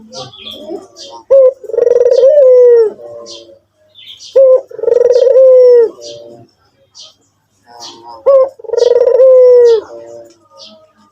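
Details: White puter (Barbary dove) cooing: three loud phrases, each a short rising note, then a long wavering low coo that slides down, followed by softer trailing notes, about every four seconds; faint high chirps of other birds behind.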